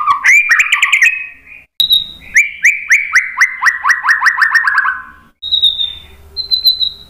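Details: White-rumped shama song used as a lure to provoke other birds into answering: a varied opening phrase, then a quick run of about ten sharp downslurred notes, ending in clear, steady high whistles.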